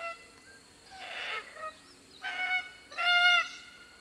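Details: Red-tailed Black Cockatoos calling in tropical woodland, Atherton Tablelands, Queensland, Australia: three plaintive, grating squawks about a second apart, each rich and harmonic, the last loudest, over a soft background hum.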